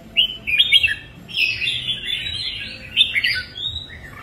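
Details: Captive red-whiskered bulbul singing lively phrases of sharp, bouncing chirps and warbled notes in separate bursts, some rising and some falling, over a quiet low background.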